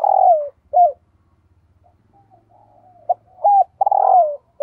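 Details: Spotted dove used as a lure bird, calling 'thúc gù'. It opens with a strong drawn-out coo and a hooked note, soft low gurgles follow, then a clipped note, an arched coo and another long descending coo. A faint low hum runs beneath.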